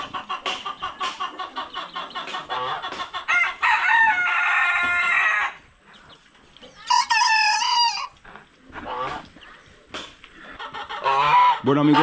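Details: A two-month-old miniature bantam cockerel, one of three young males, starts crowing: short, cracked, wavering crows over a run of soft clucks and peeps from other chickens.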